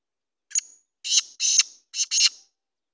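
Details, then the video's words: Kala teetar, the black francolin, gives its rasping phrase: a brief clipped opening note followed by four raucous, scratchy syllables grouped in two pairs. "Kala teetar ki awaz"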